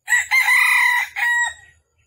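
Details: Red junglefowl crowing in Vietnam on the morning of 13 December 2021 during trapping, with a wild bird coming in to fight: a loud, ringing crow with a short opening note, a long sustained middle phrase and a shorter falling end.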